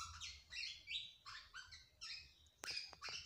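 A black-naped oriole gives harsh, buzzy chattering phrases, about three bursts a second, high and scratchy, broken by a few sharp clicks.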